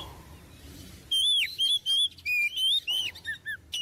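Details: Oriental magpie-robin singing keenly as a model for young magpie-robins; after a quiet second, loud arching whistles and clipped chirps follow in quick succession, about three notes a second.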